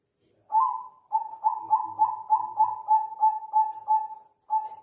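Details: Zebra dove (perkutut, Bangkok type) gives a soft, rolling series of cooing notes around one pitch, about three per second, ending in a pause and a final coo.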